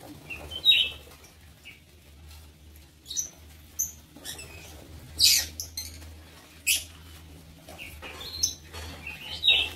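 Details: Lovebirds in a breeding aviary utter sharp, high squeaky chirps at irregular intervals, with quiet gaps between some harsher, louder screeches.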